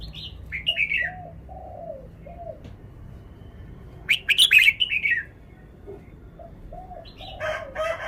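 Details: Red-whiskered bulbul kept in a cage, showing its song phrasing: clear whistled phrases come in three separated bursts, with a rapid buzzy flourish in the middle. Softer, lower mellow notes sound between the phrases.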